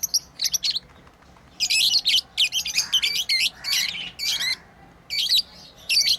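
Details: Continuous shrill chattering from playing pet lovebirds, rapid rough chirps running together in long bursts with only brief breaks.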